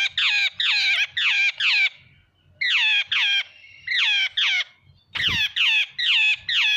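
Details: Jungle babbler giving harsh, squeaky downslurred squawks in quick runs of three to five, broken by short pauses, with a brief thump midway and faint low background rumble.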